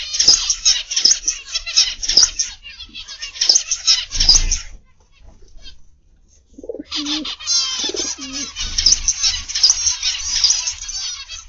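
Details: Many zebra finches in a morning aviary make dense, rapid, high nasal chirps and beeps in overlapping bursts. The chatter pauses briefly midway, and soft low dove coos are heard between the bursts.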